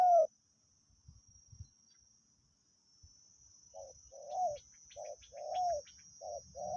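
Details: Spotted dove heard more distantly during decoy luring: after a quiet stretch with faint low thumps, softer paired coos repeat about every second, alongside a thin insect whine and faint high chirps.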